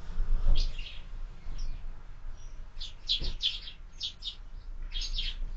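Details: At a feeder mounted on a window, morning sparrows give loud, short chirps, first singly, then in a quick cluster near the end, with soft thuds and a low hum behind.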